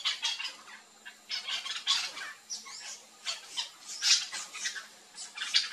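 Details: Several yellow-chevroned parakeets feeding on fruit in a Brazilian backyard keep up continuous overlapping shrill squawks and chatter, with a few sharper squeaky notes among them.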